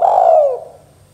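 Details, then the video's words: Spotted dove, 'kuk 2' style lure call: the tail of a mellow, husky coo that slides gently downward and fades within half a second, with a low electrical hum beneath. "suara tekukur KUK 2 gacor"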